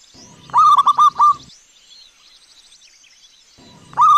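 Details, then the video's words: A zebra dove responding to a lure recording. A single loud phrase of five rapid, rolling coos is followed by a pause. The next phrase begins at the end, and faint high birdsong fills the background. "LANGSUNG NYAUT dan BUNYI dengan pancingan PERKUTUT GACOR"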